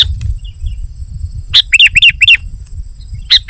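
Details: Sooty-headed bulbul singing to attract wild birds of its kind: an isolated sharp chirp, then four quick bubbly slurred notes in a row, and another single chirp after a pause.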